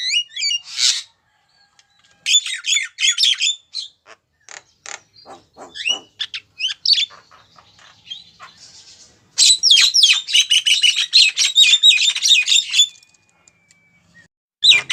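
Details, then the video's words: A female Javan myna calls to attract a male: short squawk bursts and scattered clicks, then a dense three-second volley of rapid whistled and harsh notes, followed by quiet. "Kicauan suara burung jalak kebo betina manggil jantan"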